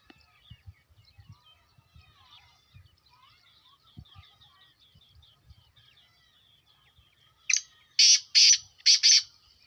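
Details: Black francolin giving a burst of four loud harsh grating notes near the end, sharply paired, after a stretch of faint twittering from other birds and soft low thumps.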